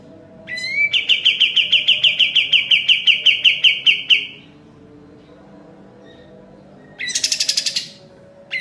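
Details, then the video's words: Sooty-headed bulbul (kapas tembak) singing in full 'gacor' form for training caged birds: quick repeated bright chips over three seconds, silence, then a short rasping, buzzy burst and the start of another. "Masteran suara burung kapas tembak gacor paling di cari"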